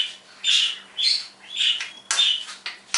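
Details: Pet parrot in a happy morning mood, mimicking sound effects and words: a sequence of bright, high whistled and squawky bursts, five or six short phrases roughly half a second apart, some with pure tonal notes, with quiet pauses between them.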